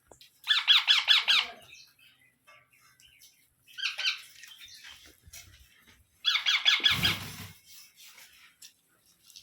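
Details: Baby parrot, an Indian pet bird kept indoors, giving bursts of rapid harsh rasping squawks, each run of about eight pulses, repeated three times with quiet pauses and faint background rustling between.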